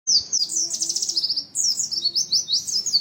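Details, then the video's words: Oriental white-eye singing a dense, rapid 'materi rapat' style song: continuous high, thin twittering and sweeping chirps run almost without pause, with a short break midway before the tight trills resume. "Kicauan pleci materi rapat"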